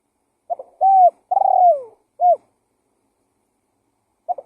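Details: Spotted dove lure call: a soft stuttered lead-in, a smooth level coo, then a longer purring coo that slides downward and a short clipped coo, with another phrase beginning after a pause. The background is clean.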